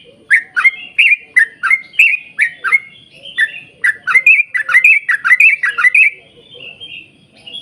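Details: A yellow-vented bulbul pours out a long, rapid chattering song meant to coax other bulbuls to sing, with quick bubbly notes speeding into a tight burst before trailing off into softer twitters.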